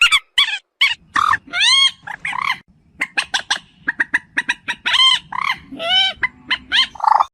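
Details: Moorhen, local name dungkhor: loud, harsh clucks and honks mixed with drawn-out nasal, arched squawks, delivered in uneven groups, with a low background hum.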